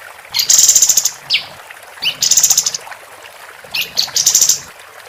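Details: Female capped white-eye used to tutor contest songbirds: three bouts, each a very high, rapid, rattling trill preceded by a short rising chirp, spaced roughly two seconds apart.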